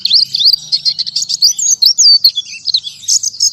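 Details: Oriental white-eye (pleci) in rapid nonstop song, a dense stream of high thin whistled slurs and chattering notes, some swooping downward, delivered without breaks.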